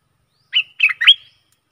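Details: Stripe-throated bulbul lure song for aggressive wild birds: a single brief phrase of three rich, slurred, bubbling notes, the last one rising and trailing off.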